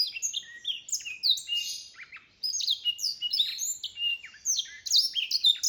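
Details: A black-throated canary mule sings a fast, high, tumbling run of twittering notes and sweet trills.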